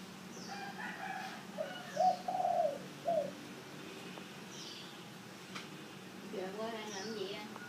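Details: Spotted dove cooing: a short run of soft, low, slightly wavering coos near the middle, with faint chirps of other birds and a brief low murmur in the background.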